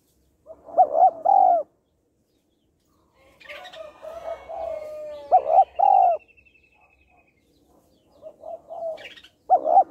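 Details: Spotted dove female calling to stimulate males: loud two-part coos near 700, a short double note then a longer drawn note, repeated three times, with quieter softer coos and a faint high rattle between.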